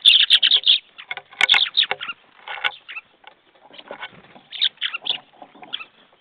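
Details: Calls of several jackdaws, recorded mid-morning at 10:50 on 21 February 2014: rapid volleys of short, harsh, chattering notes tumbling over one another in irregular bursts, with brief gaps between the flurries.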